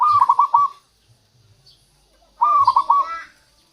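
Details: Zebra dove, local type, singing as a lure to attract wild doves: two bursts of rolling, trilled cooing near a low pitch, each with several quick beats and a pause of over a second between.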